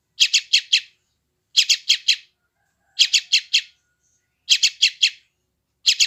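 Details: A yellow-vented bulbul chick in West Java, recorded by phone for taming freshly trapped wild bulbuls, gives scratchy buzzy notes in clusters of three or four, about every one and a half seconds, with nothing else audible.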